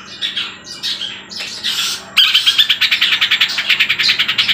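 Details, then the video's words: Long-tailed shrike (trotol cendet) imitating the tengkek buto's 'kuntilanak' sound. Scratchy jumbled phrases come first, then a loud run of sharp chattering notes, about two or three each second. "Cendet Trotol sudah bisa bunyi kuntilanak Tengkek Buto gacor"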